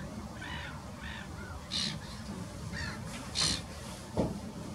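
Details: Common starlings foraging in a wetland at Neeracherried, Canton Zürich, Switzerland, on 13 May 2018 give a few soft, thin chirps, then two harsh, grating rasps about two seconds apart, over a steady low rumble.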